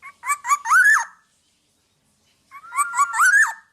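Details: Two loud, harsh nasal phrases from a Black-naped oriole in energetic song for training other birds, each made of stuttering notes rising into a slurred whistle, separated by about one and a half seconds of silence.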